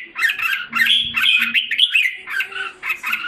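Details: Red-whiskered bulbul kept in a cage in Singapore, July 2017, regaining condition after losing form. It gives rapid, rich, slurred warbles with rising and falling notes, close and loud, over a faint low mechanical hum.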